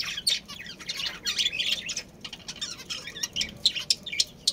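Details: Budgies of a breeding pair and family colony chattering steadily: rapid high twittering and scratchy squawks, many short notes packed together.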